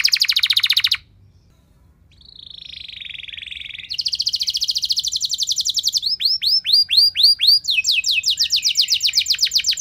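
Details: Loud canary lure song intended to make other canaries sing: a harsh fast rattle, a pause, a low buzzy trill, then a bright rapid rattle, arched whistled notes and a final quick trill.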